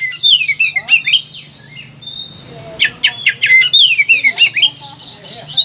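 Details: Agitated Oriental magpie-robin showing off many song phrases, used to train or prompt reluctant birds: swooping whistles, rapid clicking trills and a held pure note, with a steady low hum behind.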